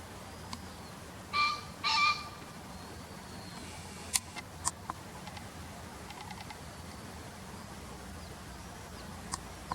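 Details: Green pheasant, call inserted from a bird field-guide recording: a double harsh, resonant note early on, then quiet with scattered clicks and taps and faint distant chirping.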